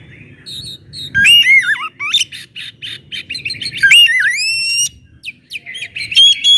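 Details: Loud song of an Oriental magpie-robin used to spark other magpie-robins into singing: ringing whistles sliding down steeply, interspersed with rapid ticking notes.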